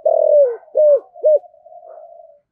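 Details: Spotted dove kept as a lure bird, calling in the thổ sấm voice style: a long low coo sliding down, then two shorter arched coos and a faint trailing hum, in quiet surroundings.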